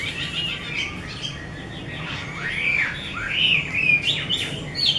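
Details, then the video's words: Chinese hwamei, 'mơ' type, from an artisan: quiet scratchy notes, then arching whistled slurs and brighter rising phrases toward the end. "Họa mi mơ siêu vip bộ cực đẹp, hót cực hay của nghệ nhân"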